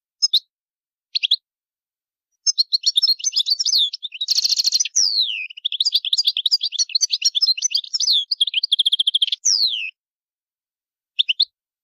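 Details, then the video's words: Goldfinch loud territorial calling: a few isolated chirps, then a long continuous twittering run of fast repeated notes with a buzzy middle section and sliding whistles, ending with a final short chirp. "Goldfinch's loud calls to stimulate birds"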